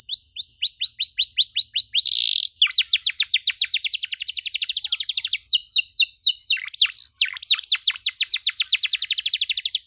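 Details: Canary song meant for teaching young canaries to sing, in a long, lavish style: rapid repeated high whistled notes in fast rolling trills, shifting between series of sweeping rising and falling notes with a brief buzzy burst, continuous throughout.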